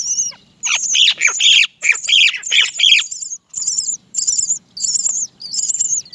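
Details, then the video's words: Great myna chick at the nest begging its mother for food: loud, harsh, grating squawks in quick ragged bursts, then a run of shorter, higher, evenly spaced screechy notes, all close to the recorder. "Baby bird Great myna cries for mother to feed."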